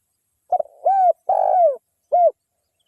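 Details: Local wild spotted dove giving a lure call meant to stir other spotted doves: a brief stutter, a smooth coo, an extended husky falling coo and one short closing coo, with no other sounds.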